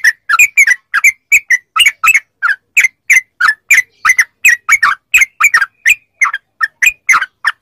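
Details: Yellow-vented bulbul song for training captive bulbuls to reply: continuous quick sequence of bubbly, slurred chirps, steady rhythm of roughly three notes per second.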